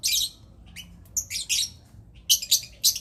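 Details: Lovebird calling while mating: sharp, piercing high chirps and squeaky bursts, irregularly spaced, some notes doubled, with short silent gaps between them.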